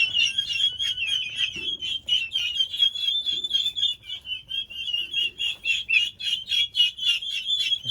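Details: Young domestic turkeys, 1.5 months old, raising a ruckus: a continuous chorus of high, thin peeps and whistles from several birds, rapidly repeated and overlapping, indoors.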